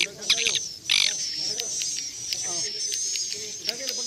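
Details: Recorded swiftlet sound used to draw swiftlets into a bird house for roosting. A continuous high, thin twitter with quick chirp bursts and lower warbling notes weaving underneath.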